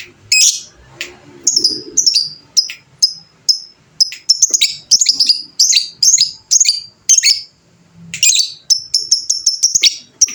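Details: Fighter lovebird giving its prized long chattering song ('ngekek panjang'): a sustained run of sharp, high, buzzy chirps repeated several times a second for about ten seconds, with brief pauses and faint low background noise.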